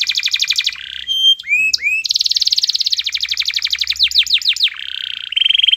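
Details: Canary singing as a calling lure for silent canaries: rapid trills, a few slurred rising whistles, a long fast rolling trill, downslurred sweeps and buzzy held notes.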